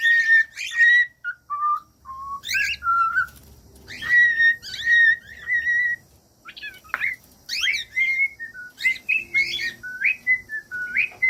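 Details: Whistled cockatiel song for teaching other cockatiels: clear level and slightly falling whistles with sharp harsh chirps, grouped in short phrases, ending in a quick chattering series.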